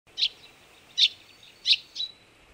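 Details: Partially albino Eurasian tree sparrow giving four sharp, bright chirps spaced irregularly, roughly every half to three-quarters of a second, the last one softer; quiet background otherwise.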